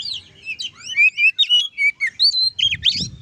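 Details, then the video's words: Loud song of an oriental magpie-robin used to goad other magpie-robins into singing, a continuous varied stream of sweet whistles, slurred rising and falling notes and scratchy chirps, with faint low background noise. "suara kacer ngeplong untuk memancing kacer laen emosi dan gacor"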